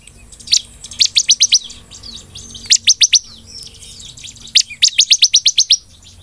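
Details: Ciblek singing actively in the golden-grasshopper style, a recording meant for tutoring and luring birds: bursts of fast, evenly spaced high notes, each a short downward stroke, in runs of five to eight with brief pauses between.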